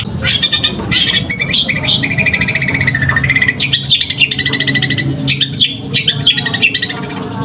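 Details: Kept long-tailed shrike from Pamekasan singing the continuous fighting-style song, imitating sparrows. A varied, jumbled stream of squeaky chirps, rasping buzzes and quick trills runs almost without pause.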